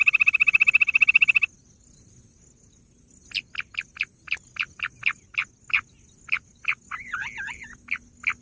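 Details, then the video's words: Bush quail giving a fast high pulsed trill that stops abruptly. After a pause comes a run of short, sharp, evenly spaced notes broken by one quick warbling, wavering phrase. "bush quail sound"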